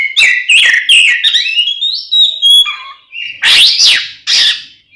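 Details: Oriental magpie-robin singing its combative ngeplong style, played to make other kacer agitated: varied fluty phrases with sliding notes climbing higher, then two loud harsh bursts after a short gap.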